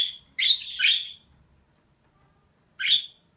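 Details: Female budgerigar calls: a quick burst of two or three grating chirps, then a two-second silence before one more harsh chirp.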